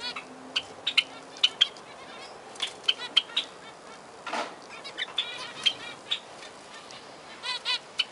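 Zebra finches giving short, nasal, toy-trumpet-like beeps and chattering notes in irregular bursts, with a soft flutter of wings and faint background hiss.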